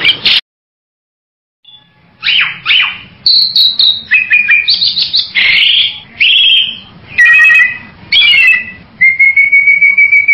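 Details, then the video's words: Bali myna giving a varied series of loud whistled and harsh calls, clear whistles around two to four kilohertz mixed with rasping notes, after a short silent gap near the start. "SUARA BURUNG JALAK BALI"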